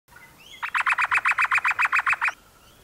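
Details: Noisy miner giving a rapid series of about thirteen harsh, even notes over under two seconds, each note loud and clipped, with faint quiet background.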